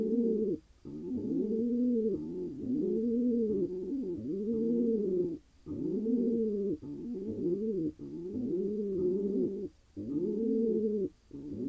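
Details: Wild male pigeon in Israel calling after finally finding a mate: deep, arched cooing phrases repeated roughly every one and a half seconds with brief gaps, a low harmonic-rich voice throughout.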